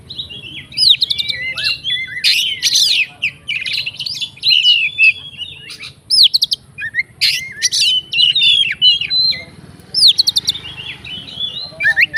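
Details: Oriental magpie-robin, a fighter bird, singing to provoke other magpie-robins: loud, varied phrases of clear whistles, rising and falling sweeps and sharp buzzy bursts in quick bouts with short pauses, over a faint low hum.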